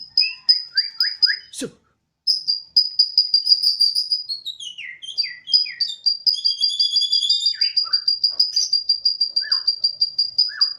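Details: Home-kept Bornean white-rumped shama singing eagerly in the 'odong-odong' style likened to a siren: long runs of rapid, high repeated notes with short descending slurs, briefly broken by a sharp sweep and a pause.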